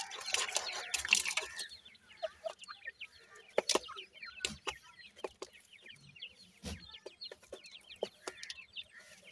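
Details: Five grey francolin chicks exploring with their parents; a rough rustling burst opens, then steady streams of small falling peeps continue with scattered clicks and taps.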